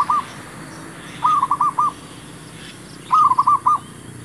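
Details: Zebra dove lure call for trapping wild birds, a clipped ending note then two full phrases of rapid staccato coos, each a run of four or five notes, with faint distant chirping in the background.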